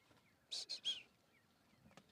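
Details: Red-faced mousebirds, cooperative breeders living in family groups, calling near a waterhole on a sunny morning, giving three quick, high whistled notes in about half a second, the last slightly longer; quiet background otherwise.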